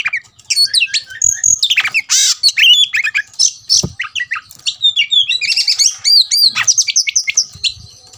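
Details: Agitated Oriental magpie-robin, riled up to fight, delivering a dense, fast song of sharp whistles, scratchy squawks and rapid chattering notes, one loud harsh burst early, then quick rising and falling phrases running almost without pause.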